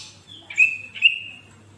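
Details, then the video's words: Sooty-headed bulbul singing energetically, meant to prompt other bulbuls to sing: two bright whistled notes, each sliding downward and trailing off, over a steady low hum. "Suara Burung kutilang Gacor//Tempel Suara Kutilang ini Dengan Burung Kutilang kalian"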